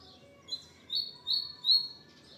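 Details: Double-collared seedeater song: three clear, high whistled notes, each a short rising-then-falling slur, spaced about half a second apart, on a quiet background.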